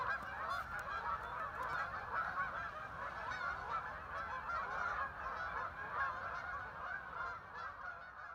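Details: Thousands of ducks landing on water at a river park in Vernon, Connecticut; a thick, continuous chorus of many overlapping calls, loud and steady, with faint higher clicks early on.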